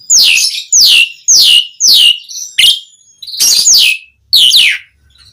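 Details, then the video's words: Asian pied starling singing loudly, used as a lure to make other starlings answer; seven strong, harsh descending whistled phrases, one every 0.6–0.7 seconds, separated by short silences in a quiet setting. "Suara Jalak Suren Gacor Ocehan Ampuh Buat Pancingan Burung Jalak Agar Langsung Nyaut"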